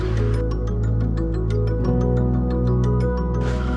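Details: Steady background music with sustained low tones and light rhythmic ticks, and no animal voices.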